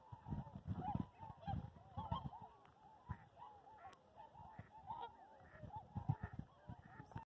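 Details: Trumpeter swans in two groups taking off on 29 January 2022 near Skamokawa, Washington, at Columbia White Tail Deer National Wildlife Refuge; scattered horn-like honks from many birds, softer and more distant, with low wing and water thumps.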